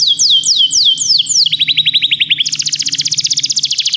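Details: Begie canaries in full song for training: spaced downward slurs give way to a rapid rolling trill, then an even faster, higher buzzing trill; light low hum beneath.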